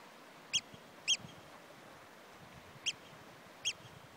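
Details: Oystercatcher in the Outer Hebrides, Scotland, giving four loud, shrill 'kleep' notes at uneven intervals over a low steady rumble.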